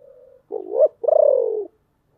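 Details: Decoy spotted dove with a hoarse, deep voice, calling to draw in wild birds. A faint steady tone, then a two-part coo: a rising note and a long, throbbing note gliding down.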